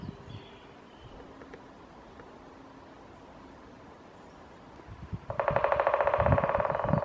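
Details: Great spotted woodpecker drumming at Shunkunitai wild bird park in Nemuro, eastern Hokkaido, Japan: a quiet woodland background, then a sudden fast, loud roll of tightly packed knocks lasting almost two seconds to the end.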